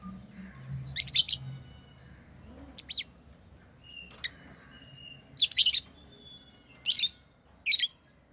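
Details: Pet lovebirds chirping: shrill, harsh high chirps in short clustered bursts near 1, 3, 5.5, 7 and 7.7 seconds, with a few thin whistled notes between and a quiet low hum underneath.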